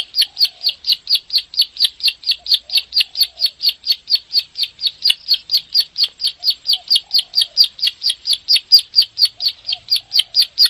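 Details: Bar-winged prinia giving its 'klik' song, a tutor recording used to provoke caged birds to sing: sharp high clicking notes repeated rapidly and evenly, about four per second, in a long unbroken run, with faint low chirps beneath.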